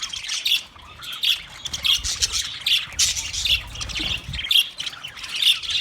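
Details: Budgies calling for a lonely bird: loud, harsh squawking chirps repeated roughly every two-thirds of a second, each a rasping burst with bright overtones, with softer chatter between calls.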